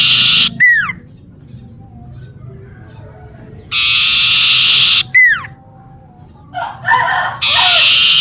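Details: Common iora singing busily in a home garden: loud buzzy trills of one to one and a half seconds, each cut off by a steeply falling whistle, repeated several times, with a brief rattling chatter near the end.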